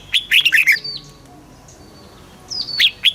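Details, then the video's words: Caged red-whiskered bulbul in Thailand singing in the southern master style, used to excite birds and teach young ones: a rapid cluster of bright whistled chirps, a quiet gap, then a rising whistle and further sharp notes. "เสียงนกกรงหัวจุก สำหรับต่อ หรือ เปิดให้นกคึก เสียงเพราะๆ"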